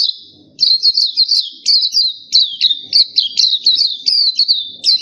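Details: Black-capped white-eye, kept songbird, singing a rapid, continuous twittering song of high, warbling chirps, delivered in dense phrases with brief pauses, with faint low knocks in the background.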